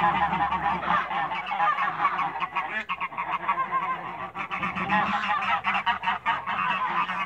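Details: African and Toulouse domestic geese meeting in a backyard, with a dense, continuous honking chorus. Loud, harsh calls from many birds overlap with hardly a break.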